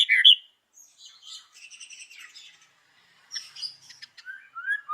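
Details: White-rumped shama in the morning, a lure recording: a loud opening note followed by soft scratchy warbles, a pause, then scattered high notes and short slurred whistles.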